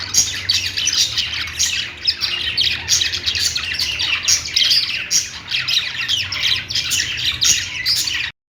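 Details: Singing pet budgies give a dense, nonstop warble of fast scratchy chirps and squeaks for about eight seconds before the sound cuts off abruptly.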